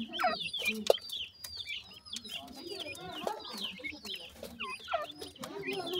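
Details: Grey francolin chicks receiving termites as food; repeated high peeping notes, small curved chirps in quick succession, lightly layered with soft rustling and faint low sounds.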